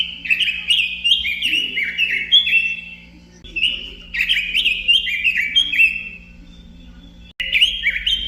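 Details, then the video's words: Robin pours out lively cascades of whistled notes, each burst stepping down in pitch, three phrases with brief gaps between them. A constant low hum runs beneath. "kicau burung robin"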